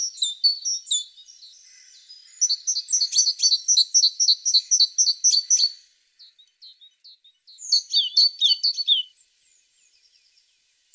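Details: Sharp high chirps from a tit, then a fast regular run of paired notes lasting several seconds, soft scattered calls, and a last burst of downslurred notes.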